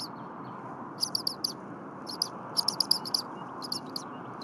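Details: Bald eagle chick at the Berry College nest, 8:00 AM, 23 January 2022, chirping while its mother readies stiff leftover prey after her break. Piercing high chirps arrive in short clusters of three or four, with gaps of quiet over steady hiss.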